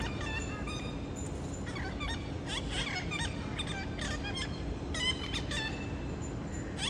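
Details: Four parrots gathering on an August afternoon after a scout's calls: dense overlapping harsh squawks and chattering notes from several birds, nearly continuous throughout, with a low steady hum beneath.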